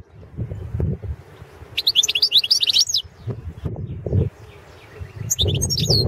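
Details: Competition recording of a Balkan goldfinch, Carduelis carduelis balcanica, entered in the 2017 World Championship in Goldfinch Song: two bursts of quick, high twittering with buzzy, sliding notes, separated by low thumping and knocking noises in the background.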